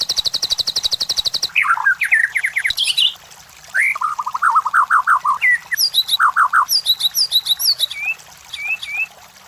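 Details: White-rumped shama song used as a lure to provoke competition birds: a fast buzzy rattle of pulsed notes, then series of quick repeated slurred whistles, each run of the same note given several times before switching.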